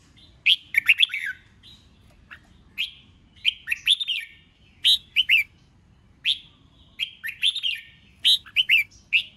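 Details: Red-whiskered bulbul contest song, repeated bright whistled phrases of quick slurred notes and sharp chips, coming in bursts roughly every second or two.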